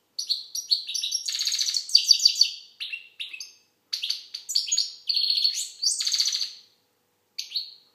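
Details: Algerian goldfinch in full song: fast, varied chains of high tinkling twitters, buzzy trills and sharp chirps over several seconds, with brief pauses and a final short phrase after a gap.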